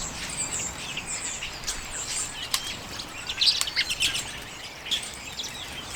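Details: Common redpolls feeding on sunflower seeds in late January 2022, recorded on a Canon EOS M50. Scattered thin, high chirps and twitters mix with several sharp clicks, growing busier toward the middle.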